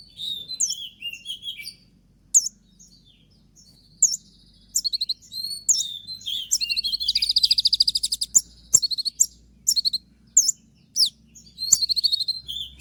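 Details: Konin in moult, still singing hard with shot-like 'tembakan' notes: high, sharp chirps and rapid buzzy trills, very busy and dense around the eighth second, broken by short pauses.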